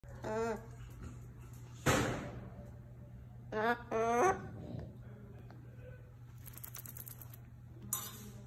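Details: Umbrella cockatoo being noisy: short harmonic vocal bursts with rising and falling tones, a harsh broadband screech near two seconds, and more tonal calls around four seconds, with a steady low hum throughout.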